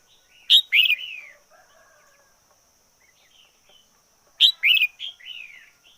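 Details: ['Red-whiskered bulbul kept as a decoy bird, singing intensely: two loud, short bursts of bright chattering, warbled notes about four seconds apart, each ending in a slurred falling phrase, with faint quieter notes between in a quiet setting.']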